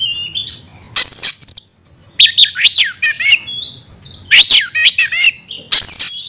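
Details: Oriental magpie-robin singing aggressively in fighting mode. Steep up-and-down whistled sweeps and looping notes alternate with harsh rasping blasts and short silences.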